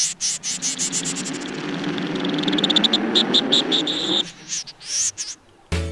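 Pin-tailed Snipe giving rapid, dry ticking notes that speed up into a fast rattling series, then break into scattered clicks, over soft background music.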